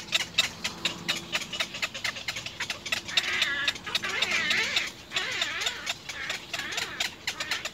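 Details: Little egret chicks at the nest, seemingly trying to get food from a parent, give a fast, harsh ticking chatter, about four clicks a second, with brief rising squeals mixed in.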